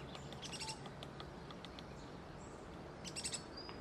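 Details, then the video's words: A young Checkered Woodpecker (Veniliornis mixtus) begging repeatedly while an adult forages to feed it, at Reserva Ecológica Costanera Sur, Buenos Aires, 8 February 2022: two bursts of high, thin, scratchy calls about three seconds apart over a steady hiss. ""Joven insistente": Carpintero bataraz chico"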